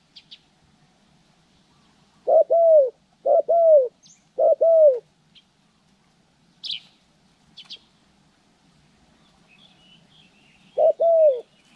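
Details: Trained decoy spotted dove used for bird trapping, recorded January 14, 2020; three close paired coos, each a short note then a drawn-out falling coo, a pause, then one more pair, with scattered thin chirps of small birds.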